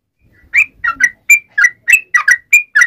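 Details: Sooty-headed bulbul (trucukan) calling to companions: about ten quick, liquid whistled notes, some doubled, in a lively irregular burst over a quiet background.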